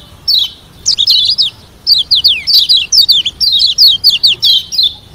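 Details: Lombok yellow white-eye, known locally as kecial kuning, singing a varied song meant to provoke rivals into answering: rapid bursts of high, sweet, slurred whistles and twittering phrases in quick succession, with short pauses between bursts.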